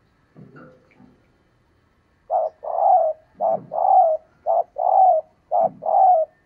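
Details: Female spotted dove calling to rouse males, a soft start then three paired notes, each a short hoot and a longer mellow coo, in steady rhythm about once a second.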